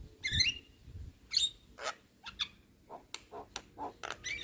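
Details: Young Javan myna in vigorous song: short harsh chattering bursts mixed with brief whistled notes, irregular spacing, fairly quiet against a low background hum.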